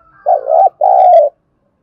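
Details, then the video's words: Spotted dove decoy cooing to quickly rouse wild-caught doves in training: a dipping, wavering coo then a longer even coo, low and mellow, with a few faint high chirps of another bird over the second note. "Tiếng chim cu gáy kích bổi nhanh nổi, Tiếng cu gáy mồi thúc luyện bổi"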